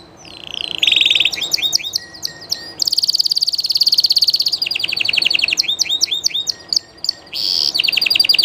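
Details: A Spanish Llarguet canary sings live, mixing sustained buzzy rolls, rapid chattering trills and sliding whistled phrases that switch pitch abruptly, a varied and continuous high song with a faint background hum.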